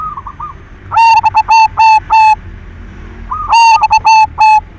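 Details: Lure song of a silver zebra dove, a frequent singer, meant to stir other doves into singing: two loud phrases of quick stuttered notes ending in steady level coos, with a softer dove calling at the start.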